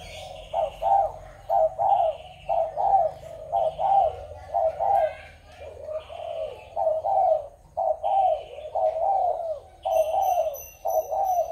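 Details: Spotted dove, recorded 21 November 2022, giving soft low cooing phrases about once a second, grouped in short runs separated by brief pauses, with faint higher chirps from another bird near the end.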